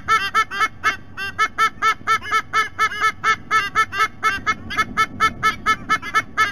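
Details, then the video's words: White-bellied sea eagle adults calling at the nest, filmed by a nest camera at Sydney Olympic Park, Australia: loud, rapid honking notes repeated about twice a second in a steady series, with a low steady hum behind. "WBSE - Adults vocalizing"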